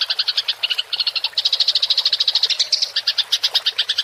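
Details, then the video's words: House sparrow in a fight, its rolling chatter recorded for training songbirds: quick, evenly paced high chirps, around eight each second, with a couple of tiny gaps. "MASTERAN GEREJA TARUNG NGEROL suara jernih"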